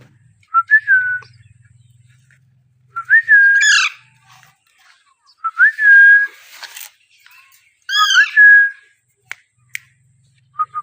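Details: Young Alexandrine parakeet repeating clear whistled calls about every two to three seconds. Each opens with a sharp upward flick and then holds a steady tone. Some have a raspy, harmonic-rich start, and a faint low hum runs early on.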